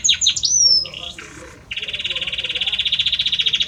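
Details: Belgian canary male in full song for the female, opening with quick whistled slides and chirps, then a dense, even trill of fast repeated notes that builds steadily in loudness to the end.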